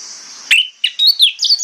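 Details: Orange-headed thrush in the morning, a lure recording meant to make other thrushes answer: after a moment of steady high hiss, a sharp note, then a few twisting, warbled whistles rising and falling.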